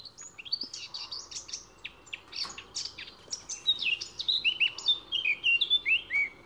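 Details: A male Eurasian blackcap, hidden in greenery, sings a scratchy, jumbled warbling start that settles into loud, clear, fluting whistled notes at the end.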